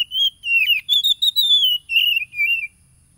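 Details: Oriental magpie-robin song, a lure for stressed, silent wild-caught caged birds, recorded on a phone in East Lampung, Indonesia, 30 July 2022: rich, loud whistled notes in rapid broken runs, wavering and sliding, ending abruptly into quiet.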